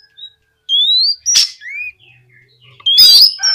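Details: Oriental magpie-robin, singing to get other magpie-robins to respond, gives a few sparse phrases: a long rising whistle, a sharp click, a soft arched whistle, then a dense buzzy rising burst.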